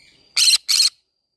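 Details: Green-cheeked conure in a flower garden, singing: a quick double squawk, two harsh, noisy bursts back to back within half a second, and then quiet.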